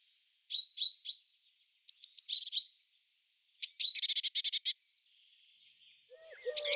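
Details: During courtship a European robin sings short high phrases of thin whistles, then a fast rattling trill of repeated notes; a lower, broken sound enters near the end.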